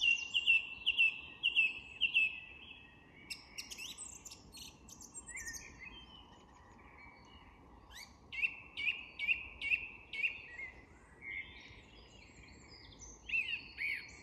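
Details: Song thrush singing at dusk in an English woodland: loud, clear whistled phrases, each note repeated several times in quick succession, then a pause and a fresh repeated motif, with faint twitters from other birds of the dusk chorus.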